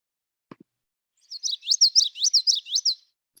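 Common Yellowthroat song: a rolling series of quick three-note phrases, like wichita-wichita-wichita, high and bright, lasting under two seconds after a brief click.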